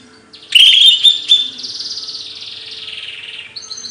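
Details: Songbird chirping, kept as training material for other birds: a bright, slightly wavering whistled phrase that starts sharply, then settles into a softer, fluttering trill fading over about three seconds, ending with a brief high note.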